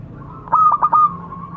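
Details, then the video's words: Zebra dove calling to others: one brief phrase of three or four staccato coo notes, the last drawn out into a level tone. "Suara burung perkutut memanggil kawan"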